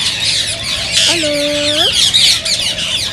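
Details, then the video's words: Green ringneck parakeets, whose voices are said to spur other parrots into song and mating. Busy high screeching chatter runs throughout. Midway a lower, level, nasal tone rises sharply at its end. "ببغاء الدره تحفيز رهيب رهيب"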